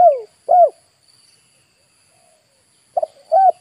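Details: Spotted dove kept as a decoy to lure wild birds, which come in to attack it: a few short, low, rounded cooing notes, two near the start and two more after a pause of about two seconds.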